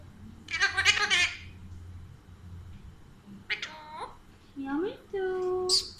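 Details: Pet Alexandrine parakeet talking indoors. A raspy burst of syllables is followed by a pause, then several short, tonal, speech-like phrases that rise and fall in pitch. A person's voice urges it on just before.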